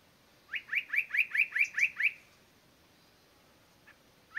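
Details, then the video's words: Spot-breasted Parrotbill at Doi San Ju, Chiang Mai Province, Thailand, gives a quick series of about eight bright, sharply upslurred chirps, roughly four per second; after a pause, a faint note and another series begins in quiet surroundings. "Spot-breasted Parrotbill"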